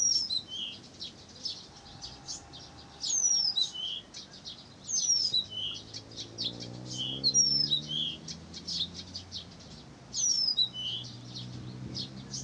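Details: Blyth's reed warbler singing in Pavlodar: bursts of high, scratchy chirps mixed with thin, sharply down-slurred whistles, phrases returning every few seconds over a faint low hum.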